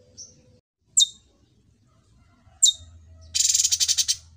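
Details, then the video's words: Cucak cungkok, a trained bird praised for its mastered repertoire: two sharp, high, downward-sliding chip notes spaced well apart, then a buzzy, evenly pulsed trill of about a dozen beats lasting nearly a second. "TERMASTER YANG SANGAT BAGUS CUCAK CUNGKO"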